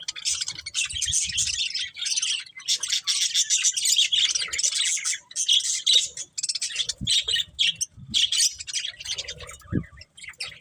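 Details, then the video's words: Budgerigars chirping in dense, buzzy warbling bursts, fast scratchy chatter broken by short pauses, with a few low thumps underneath. "Beautiful Budgies Chirping Sounds"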